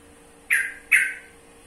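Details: Yellow-vented bulbul giving two short, harsh, squawky notes about half a second apart. Each is a sudden rasping chack that fades quickly, with a steady faint hum underneath.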